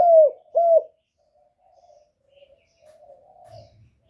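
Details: Lure spotted dove calling to draw wild doves for trapping. Two loud, low arched coos end a phrase. Long stretches of faint, soft, wavering cooing and a few low thumps follow.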